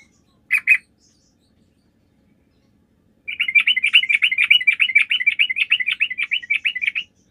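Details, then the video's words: Lively sooty-headed bulbul song played as a lure to make other bulbuls reply: two sharp opening notes, a silence of about two and a half seconds, then a fast, chattering run of bright, bubbly notes, roughly three per second. "PANCINGAN TRUCUK GACOR, TRUCUK MANAPUN DIJAMIN LANGSUNG NYAUT,"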